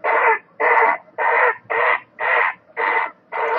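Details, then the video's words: Great blue heron giving a harsh, hoarse croaking call, seven rough squawks repeated steadily about twice a second. "Great Blue Heron - Sound, Call, Song, Voice, And Other Noise Made by the Bird"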